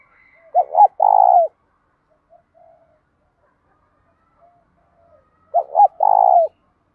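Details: Trained spotted dove cooing to stir up and train other doves, two phrases about five seconds apart, each a pair of clipped notes and a longer vibrating coo dropping at its close, with faint quiet sounds in the gap.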